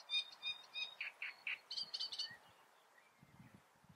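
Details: Great reed warbler song: a burst of rough, chunky notes delivered rapidly, some harsh and some higher and thinner. The phrase fades into quiet background after about two and a half seconds.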